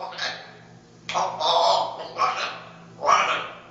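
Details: A Dutch-bred parrot, hatched in 2010 and noted for its very loud voice, gives loud, harsh, raspy squawks in three or four bursts about a second apart, with a faint indoor hum underneath.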